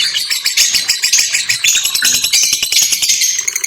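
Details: Flock of lovebirds in busy chatter: piercing, overlapping squeaks and short whistled chirps packed closely together, accompanied by quick rhythmic clicking.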